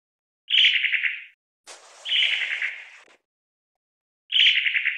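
A Long-tailed Tit gives three dry, buzzy, rattling churrs, each under a second and high-pitched, with a brief rustle of background noise between them.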